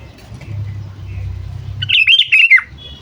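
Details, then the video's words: Calling sooty-headed bulbul used for luring birds: after a low humming background, a burst of rapid, bubbly warbled notes lasting under a second and ending in a dropping note. "Suara Burung Kutilang Memanggil"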